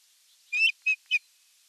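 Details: Osprey at the nest during the evening meal, 30 June 2022, nest camera: a longer high whistle followed by two shorter clipped notes, evenly spaced about a quarter second apart.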